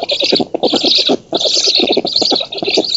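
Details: Black storks at a nest in an oak in Poland, 19 June 2017, filmed by nest camera while the female feeds and an intruder is driven off; rapid, rasping pulsed chatter with a hissy upper layer, in bursts broken by short gaps.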